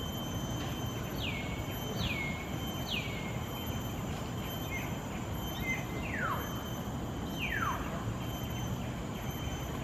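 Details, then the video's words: Wild common hill myna in Singapore giving loud, clear whistles that slide sharply downward, in a quick run of three and then two more a few seconds later, over a steady low traffic rumble and a thin electrical hum. "Wild COMMON HILL MYNAH, Singapore"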